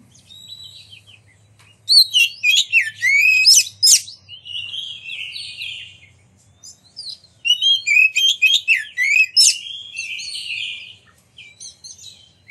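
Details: Oriental magpie-robin, a kept songbird, singing to provoke rival magpie-robins into song and display; two long bursts of crowded, sharp whistles and chattering notes separated by a short quieter pause, faint low hum.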